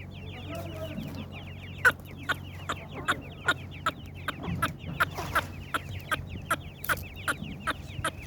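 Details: Partridge chicks calling: a fast run of thin, high, down-slurred peeps, many chicks overlapping, with sharp clicks and taps punctuating the calls about twice a second.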